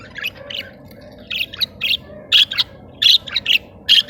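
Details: A budgerigar pair in a cage during mating and food regurgitation gives short chirps that grow into loud, sharp squawky notes, separate bursts spaced roughly a third of a second apart.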